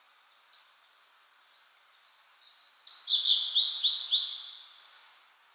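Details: Blue-and-white flycatcher in spring song in mountain forest with new green leaves, cloudy and 14°C after yesterday's rain; soft scattered high notes, then a loud phrase of quick, repeated downslurred whistles ending with a thin, high note.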